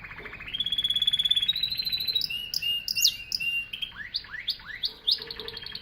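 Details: Singing canary opening with a long rapid trill, then sliding into sharp rising whistled notes and chirps repeated about three per second.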